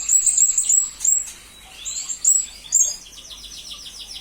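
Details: Blue-crowned hanging parrot, master recording for murai and kacer training: piercing high chirps in short bursts, a lower rising glide, then a fast rattling train of tiny repeated notes.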